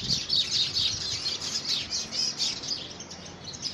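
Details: House sparrows quarrelling to claim a nest box, first week of February 2017; shrill chirps tumble out at about two per second, irregular and overlapping, with a few louder peaks.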